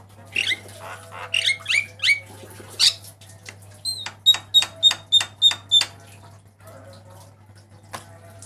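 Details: Black-winged myna master song for training cage birds: harsh squawks and downslurred whistles, then a quick series of about seven sharp ringing notes, ending in soft chatter over low hum.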